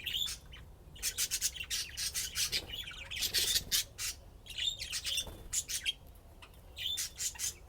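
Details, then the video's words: Playing budgies produce rapid runs of harsh, scratchy chatter and squawks broken by brief high whistles, loud and nearly nonstop. "طيور الحب لعب وزقزقة"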